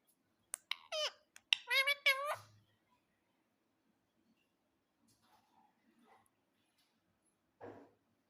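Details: Pet parrot indoors giving a short run of harsh, harmonic screeching squawks, each rising then falling, packed into about two seconds, followed by near silence with a few faint soft notes and one last brief squawk.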